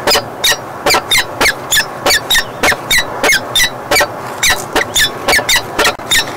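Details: Falcon arriving at the nest beside its mate, 31 March 2016, just back from chasing off an intruding female; loud, harsh, grating calls repeated rapidly, about three per second, in an unbroken series.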